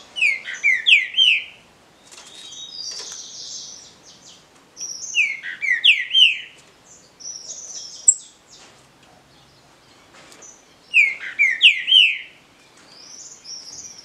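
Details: Green-winged saltator in a singing contest among captive birds, giving loud whistled phrases of three or four descending slurred notes, repeated about every five seconds, with thinner high calls from other birds between phrases.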